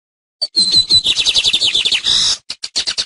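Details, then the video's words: Teaching song of a lined seedeater, known locally as tucero: after a moment of quiet, a dense run of high buzzy notes and fast slurred whistles flows into crisp clicking chips near the end. "TUCERO: CANTO DE ENSEÑANZA"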